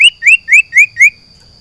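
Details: Sirtu kept in a cage hung out in a garden, singing five clear whistled notes, each one rising sharply at the end, spaced evenly about a quarter second apart. A faint steady high tone sounds behind the song.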